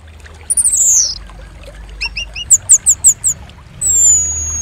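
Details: Orange-headed thrush (Geokichla citrina) song used to lure and stimulate other birds: a varied, high whistled phrase, quick paired notes, a run of five bright repeated notes, then a long thin whistle over soft hiss.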